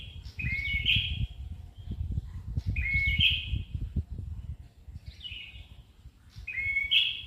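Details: Ashy tailorbird singing actively, four short buzzy phrases each sliding up from about mid pitch into a brighter burst, spaced roughly every two seconds, over steady low rumbling background noise.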